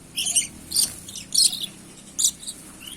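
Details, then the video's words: A rapid run of harsh, high-pitched shrieks from a red-and-black lory, about four calls within three seconds. "Burung Nuri Asli"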